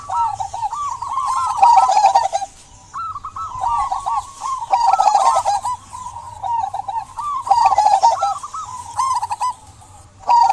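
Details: Singing local zebra dove, played so that silent doves start calling: repeated rolling, warbled coo phrases of one to two seconds, separated by short quiet gaps, over a background of high-pitched chirping birds.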